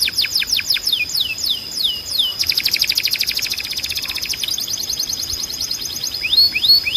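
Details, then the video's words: Tutor recording of canary song, aimed at teaching young birds: a series of falling whistles, then a dense fast trill, followed by a steady run of repeated notes and rising slurred whistles. "You Won’t Believe How Fast Your Canary Starts Singing"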